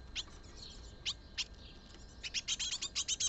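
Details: Great tit (Kohlmeise) brood of fledglings at a feeding basket, late May 2022, begging with sharp, high chirps: a few scattered notes build into a rapid run of about eight per second, with faint background hiss.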